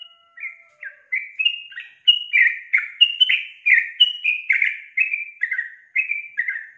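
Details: Lure recording of a female sooty-headed bulbul (trucuk betina) calling the male; a long string of bright, slurred whistled notes, some falling, some rising, repeated about once a second in an uneven rhythm, clean background.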